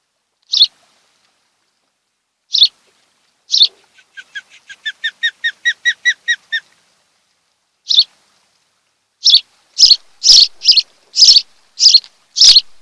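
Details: Osprey calling at the nest on Kent Island, Maryland, from a nest camera on the afternoon of 26 July 2018, home of a mated pair: single sharp chirps, a short run of rising harsher notes, then a string of loud piercing chirps.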